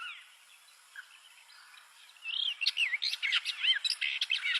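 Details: Bluethroat song beginning faintly, then a lively burst of twisting whistles, buzzy trills and quick chirps over light background hiss.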